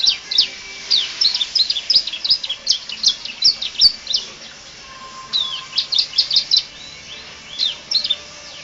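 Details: Canary singing a song full of varied fill-in phrases, used as a master recording for training other birds; quick, high, sharp chirps and slurred notes in dense bursts, a short lull near the middle, then renewed lively phrases.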